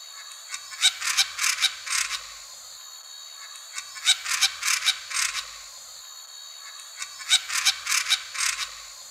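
Black-crowned Tityra giving short bursts of five or six dry, buzzy, nasal notes, each burst about three seconds apart, over a faint steady high hiss.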